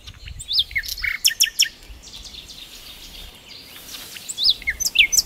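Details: A Common Nightingale (Luscinia megarhynchos) sings by a river: bursts of varied high whistles, sharp chirps and rapid notes, broken by a brief pause, over a soft background hiss.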